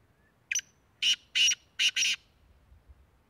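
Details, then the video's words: Black francolin, called kala teetar, from Tank, Khyber Pakhtunkhwa, Pakistan, delivering a grating phrase: one short note followed by four loud harsh buzzy notes in about one and a half seconds, then quiet. "Black francolin, Kala teetar. کالا تیتر"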